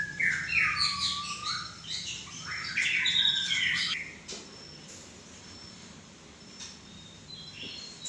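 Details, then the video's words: Whistled, warbling song of a white-rumped shama noted for its 'klewer' tail: a lively burst of mixed sweet notes and chatters for about four seconds, then quieter, with only faint scattered notes over soft background hiss. "murai ekor klewer klewer"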